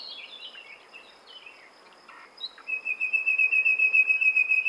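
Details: Common nightingale: a few soft descending notes, then a long, steady, very rapid series of repeated whistled notes on one pitch, growing louder.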